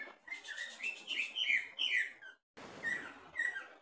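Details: Greater green leafbird in a cage, tested at the bottom of the cage, singing a quick series of rising and falling whistled slurs, broken by a short silence, then two more clear whistled notes.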